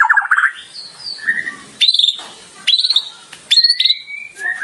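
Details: White-rumped shama singing varied imitated phrases (isian) for a training recording: low warbled notes, then separate sharp high whistled phrases rising and falling, each followed by a short gap.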